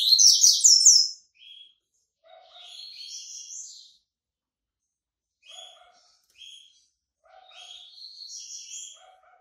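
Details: Yellow-bellied seedeater, white-breasted variety, emerging from moult: an intense, fast, piercing twitter opens, then softer buzzy phrases return every few seconds.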